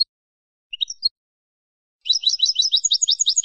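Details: Malagueño classical ancestral style European goldfinch song, recorded for teaching young birds to sing: a brief pair of high twittering notes, a pause, then a fast, even, high-pitched trilled run of repeated notes.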